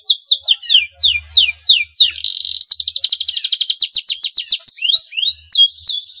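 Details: Male canary in breeding condition, singing to encourage rival canaries to sing. A series of sharp downward-sliding whistles gives way to a long, fast rolling trill, then to chirpy sliding notes.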